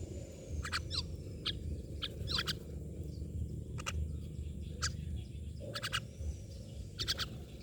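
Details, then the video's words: Mynas giving a string of rasping, clipped notes, some doubled or chattering, scattered across several seconds, with faint whistles between them and a constant low hum behind. "Myna birds part eighteen"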